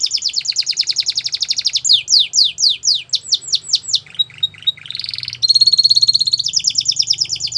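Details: Canary song for tutoring young birds: a rapid high trill, a series of falling whistled sweeps, short chirps, a rising buzzy roll, then a fast sustained rattling trill, clean and close-up.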